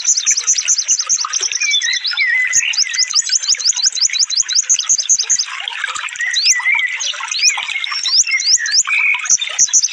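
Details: Rapid sunbird song meant for training caged birds: a long run of very high ticking trill notes, then sharp upward-flicked whistles and lower warbled chatter, nearly nonstop for ten seconds.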